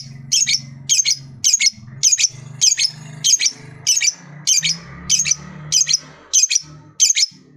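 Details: Pet lovebird, song meant to spur other lovebirds into singing: bright, high, clipped chirps in steady pairs and groups over a faint low hum.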